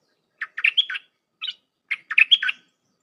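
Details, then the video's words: Dok Taeng style song of a red-whiskered bulbul, packed with phrases, for tutoring hand-fed and wild young birds; lively chirps with a rising whistled slur, a brief lone note, then the phrase repeated. "เสียงนกดอกแตงEp.129เปิดหัดลูกป้อน/ลูกเสอ เพลงแน่นๆ สับดอกล้วนๆ"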